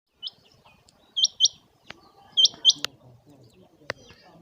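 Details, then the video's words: Chinga quail calling on a clear, sunny day (Pakistan): sharp, high, hooked chirps, mostly in quick pairs, a few times over four seconds, with faint clicks and low background rustle. "Chinga batair ik or awaz aa gye /Very fresh sound of Chinga quail"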